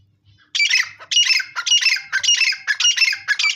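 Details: Grey francolin calling: loud, harsh, grating phrases repeated in quick succession, almost without pause after a brief quiet start, each burst rough and squawky.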